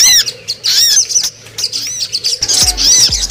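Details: Brown-throated Sunbird (sogon) lure recording meant to bring wild birds down: shrill arched chips in quick clusters, with a few low thuds near the end.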